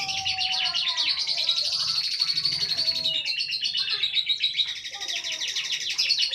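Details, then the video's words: Pet lovebird kept at home, giving a continuous fast, scratchy high-pitched chatter of rapid chirps, with a faint human voice underneath. "Love bird ( rumahan )"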